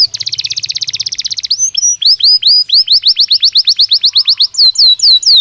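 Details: Belgian canary singing naturally for daily training: a rapid buzzy roll, then many quick upward-slurred whistles in a steady series, ending with a few loud downward-slurred notes.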